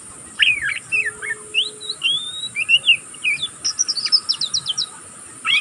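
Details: Young oriental magpie-robin of the pastol type, still learning to sing, giving ngeriwik: nonstop twittering of quick whistled, slurred and buzzy notes, rising and falling, ending in a dense run of short chips, over steady background hiss.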